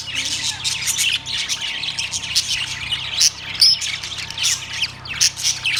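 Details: Continuous high twittering and squawking from a cage of budgerigars recorded September 3, 2023, with a few brighter whistled notes standing out from the steady chatter.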